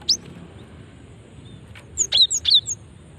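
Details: Cinereous tit female call, used as a lure to make other birds answer. One lone high chip, then a quick run of four or five thin, bright notes.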